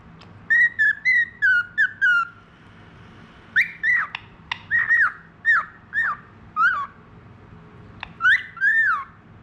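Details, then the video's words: Whistling from a tame, clever budgerigar: clear arched notes in short groups of two or three, separated by brief pauses, with sharp clicks between phrases. "BURUNG PARKIT AUSTRALI FALK SUPER GACOR JINAK CERDAS JAGO SIUL"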